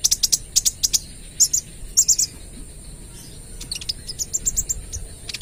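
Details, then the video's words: Busy spotted sunbird singing the 'AK 47' rapid burst song used for luring other birds: clusters of very high, sharp ticking notes in quick doublets and triplets, separated by brief pauses, over a thin continuous high hiss. "KOLIBRI NINJA (Konin) Trotol Gacor Full Tembakan AK 47 - Cocok Buat Pancingan"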